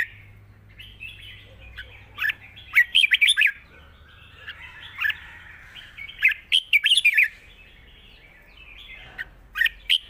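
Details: Caged red-whiskered bulbul, described as a ready singer with a long song containing trills, delivers bursts of bright, bubbly chirped notes in quick clusters separated by short pauses.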